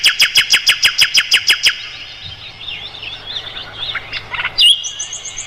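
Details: Mugimaki flycatcher song used as tutor material for songbirds such as the white-rumped shama: a rapid run of about ten sharp, high, evenly spaced notes, then a softer, varied twittering warble ending in thin, high whistles.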